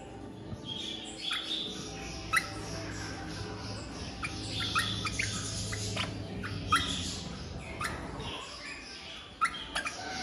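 Crimson rosellas give short, sharp chirps and squeaky notes in irregular bursts over a low, steady background rumble.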